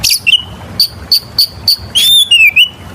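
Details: Oriental magpie-robin singing as a lure for other birds: short sharp high notes repeated about every third of a second, followed by a long wavering whistle that dips and rises.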